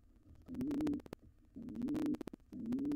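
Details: A wild pigeon of an intruding pair trying to take over a nest box after the resident nestling fledged: three low coos, each gently rising, separated by brief clicks.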